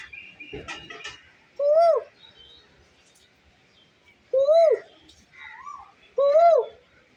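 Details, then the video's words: Koyal, the Asian koel, calling as if to communicate: a burst of rustling noise, then three clear, rounded whistles that swell upward and drop away, repeated every two to three seconds. "koyal try to communicate"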